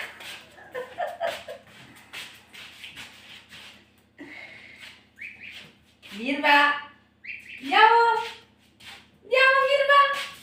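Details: Gosling that seems to take a person for its mother, in the mountains; loud drawn-out peeps rising then falling, repeated every second or so in the second half, with human speech and whistling earlier.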